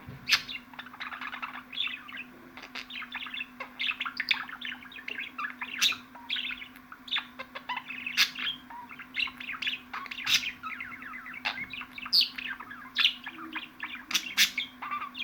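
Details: Budgerigar warbling nonstop: a dense stream of rapid twittering chirps and clicks, some louder sharp notes, over a constant low electrical hum.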